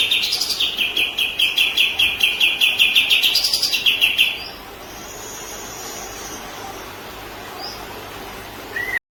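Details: White-rumped shama (murai batu) song used as master audio for training other birds, in the kapas tembak style. A rapid, regular string of high, sharp notes repeats about every quarter second for four seconds, then quiet follows.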